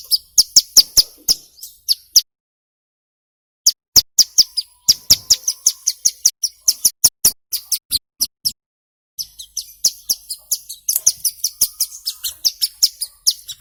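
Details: Hill prinia in full, energetic song, played as a lure to get young captive birds singing quickly: rapid runs of sharp, high, clipped chips in bursts, broken by a clear pause of about a second and a half.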